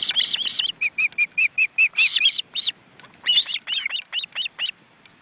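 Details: Wild ospreys at a forest-reserve nest in Estonia, watched by webcam, with well-grown chicks flapping their wings in a crowded nest of four birds: a fast series of short whistled notes, some upslurred, broken by one brief pause.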